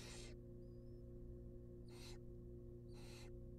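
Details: Hungry barn owl nestlings in a wild nest box, fed a rabbit: three strong, breathy screeching hisses spaced roughly a second and a half apart, with a faint thin whistle and a steady background hum.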